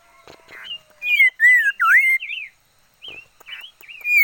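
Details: Red-faced liocichla kept as a decoy bird, singing: clear whistled, slurred warbling phrases that rise and fall, delivered in short bursts separated by brief pauses, with faint clicks and rustles at the start.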